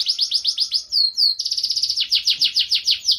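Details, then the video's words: Canary in full gacor song showing lavish cengkok: quick chains of sweeping notes, two long pure whistled slurs, then rapid even trilling and more falling notes, loud and clear. "Suara Burung Kenari Gacor cengkok mewah"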